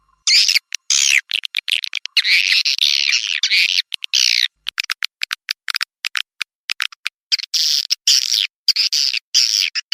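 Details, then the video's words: Squeaky, buzzy swiftlet twitters in repeated bursts with rapid clicks between, from a Manuk Ireng 01 lure sound played to attract swiftlets to a nesting house. "SUARA WALET RBW SUKSES"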